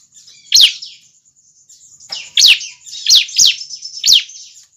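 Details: Calls of a juvenile bar-winged prinia, used as a lure for adult prinias. A single sharp descending chirp is followed after a pause by a quick run of four similar chirps. A faint high continuous tone sounds behind them.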